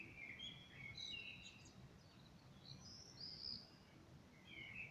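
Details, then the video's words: Common blackbird's evening song with sweet whistled phrases and thin high trills, recurring every couple of seconds over a soft low background noise. "Abendlicher Amselgesang"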